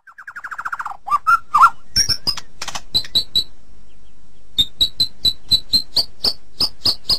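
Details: White-rumped shama (murai batu) in a training recording of its song: a fast descending rattling trill, then scattered sharp clicks and a steady string of short high notes.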